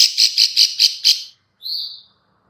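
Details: Female plain prinia giving a clicking call, used to lure other birds into answering: six dry, buzzy clicks in quick succession, then a brief pause and one short high whistle.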